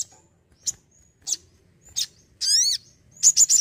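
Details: Crimson sunbird produces isolated high ticks spaced about half a second apart, then a harsh, layered buzzy note and a rapid triple chirp at the end.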